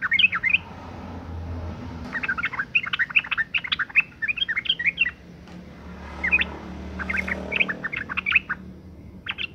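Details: Female sooty-headed bulbul in breeding condition, calling to lure males to sing, gives busy runs of sharp, squeaky, high chirps and chattering notes in bursts of one to two seconds, separated by brief pauses, with a low background hum.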